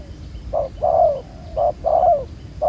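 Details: Spotted dove, a wild-caught bird with black neck spots, cooing near a ground trap: two hollow low coo pairs, a short note then a longer slurred one falling in pitch.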